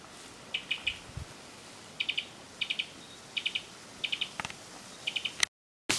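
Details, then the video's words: A Cuban tody (Todus multicolor) calls at La Turba, Playa Larga, Cuba, on 19 February 2017: short, high, buzzy stuttered notes in quick bursts of two to four, about every half second to second, with a faint low thump. "Cuban Tody, Todus multicolor, calling"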